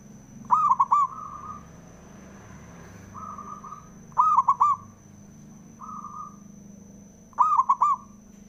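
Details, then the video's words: Local male perkutut (zebra dove) song used to provoke others: three strong phrases, each a coo breaking into three quick rolling notes, roughly three seconds apart, alternating with fainter single coos from another dove. "SUARANYA🔊 PALING DI CARI UNTUK PENDONGKRAK PERKUTUT JADI EMOSI❗AUTO, FIGHTER"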